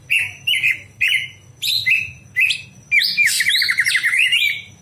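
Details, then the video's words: Greater green leafbird at night, song played to train other birds: six evenly spaced whistled chirps roughly every half second, then a dense rapid trill with overlapping warbles; low hum behind. "masteran cucak hijau di malam hari"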